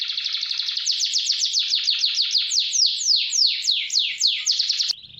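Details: Loud energetic canary roll for training: a long run of rapid downslurred notes that gradually slow into wider sweeping strokes, then a brief abrupt stop.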